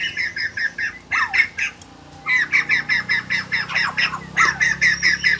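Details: White-crested laughingthrush, a caged bird kept in Vietnam, said to sing while dancing like a ballet dancer; a loud run of harsh, squawky chattering notes repeated about twice a second with a short pause midway.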